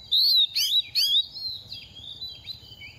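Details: Second-year oriental magpie-robin in moult, a ready singer, gives three loud, clear whistled phrases with upward and downward slurs in the first second, then softer trailing notes fading into a steady high-pitched background hum.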